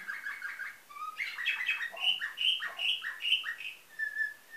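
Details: Canary with nightingale-type song from Varna, Bulgaria, 2013: dense rapid warbled syllables building into loud ringing piped notes repeated steadily, ending with a single level whistle.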